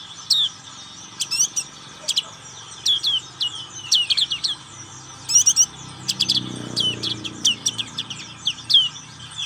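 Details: Ngriwik-style black-capped white-eye: a long run of crisp high chips and down-slurred notes, some in quick pairs and trills, sounding irregularly throughout, with a low rumble midway.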